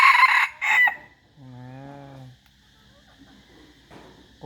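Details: Decoy chicken crowing. The tail of a loud, rough crow opens the recording and ends within a second. A lower, steady, tonal call follows, and then quiet background noise.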